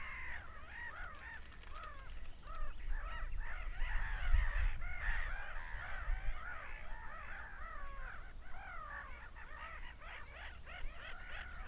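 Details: A crowd of seagulls screaming: rapid, jumbled harsh calls, roughly three per second, building in loudness toward the middle, over a deep steady rumble.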